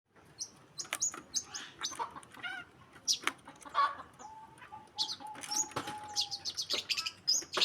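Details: Long-tailed shrike song from a masteran (training) recording: dense bursts of sharp high chirps and scratchy notes, short buzzy trills, and a steady mid-pitched whistled tone held for about two seconds near the end.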